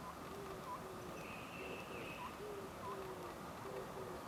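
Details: Oriental scops owl hooting from a tree branch at the Suchon-ri tomb group, Gongju, South Korea, on 24 April 2025 around 09:17; faint short low hoots in loose pairs under steady background hiss, with brief higher chirps from other birds.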